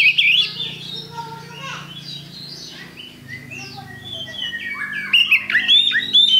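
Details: Oriental magpie-robin with loud whistled phrases at the start and end and quieter warbling in between, over a low hum and faint background noise.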